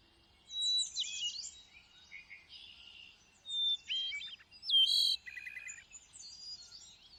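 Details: A thrush sings among lush greenery: separate high phrases of warbled, whistled and trilled notes, one ringing sharp note near the middle and a short buzzy segment, with brief pauses between phrases. Quiet, clear background.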